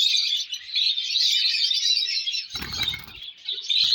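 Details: Colourful lovebird chicks calling in a dense, continuous chorus of high, thin chirps and twitters, with a brief burst of rustling and handling noise partway through.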